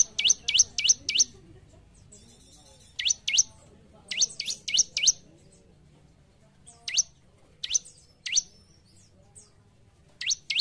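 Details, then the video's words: Bar-winged prinia (ciblek) in gacor form, played to train caged birds: bursts of four or five fast upward-swept, high chirps, separated by short silent gaps. "Burung Ciblek Gacor l Untuk Melatih Mental Ombyokan Agar Cepat Bunyi"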